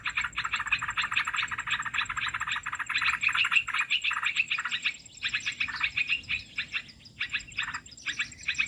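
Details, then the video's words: Merbah belukar, the Olive-winged bulbul, heard as a bird-trapping lure; a busy stream of rich chattering notes, fuller at first, then breaking into shorter bursts, with a continuous high hum. "SUARA MIKAT BURUNG MERBAH BELUKAR"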